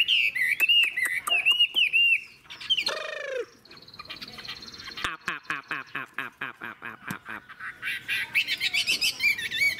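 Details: Chinese hwamei, an old wild-caught bird, in varied song: wavering looped whistles, a harsh sweep, then a long fast train of clipped repeated notes building into high warbling phrases.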